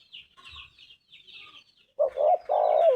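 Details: Spotted Dove (tekukur) in vigorous 'gacor' cooing: after a second of faint high chirping from other birds, a loud low coo phrase begins, two rounded notes then a longer drawn-out croon.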